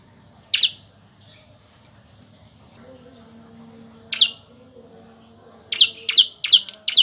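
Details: Bar-winged prinia song used as tutor material for songbirds: sharp, high chirped notes, one alone, another after a pause, then a quick run of four closely spaced chirps, over a faint low hum.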